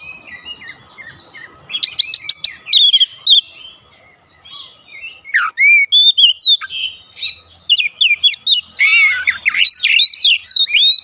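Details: Kacer, the Oriental magpie-robin, in full 'gacor' song meant to draw replies from pet birds at home: quiet at first, then bursts of rapid chips, upslurred whistles and buzzy rasping notes tumbling together over a faint background hum.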